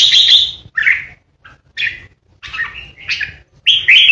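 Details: Red-whiskered bulbul kept caged as a decoy, singing 'ché' style to intimidate opponents: a loud bright phrase followed by short, separate chirped and warbled notes at roughly half-second intervals.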